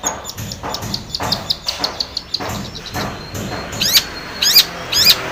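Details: Long-tailed shrike song, used to coax a silent shrike into singing: soft rapid ticking notes at first, then three loud, sharp, squeaky sweeping calls spaced about half a second apart.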